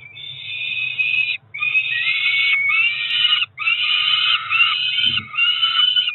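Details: At a Cromer nest in June, two Peregrine falcon chicks about four weeks old beg at feeding time with long, harsh, continuous screaming wails broken only by two brief pauses, faint low rumble underneath.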